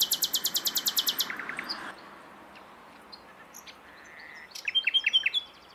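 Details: Common nightingale singing: a rapid burst of about thirteen sharp, evenly repeated notes, a few lower slurred notes, a short pause, then another quick phrase of repeated metallic notes over a steady background hiss.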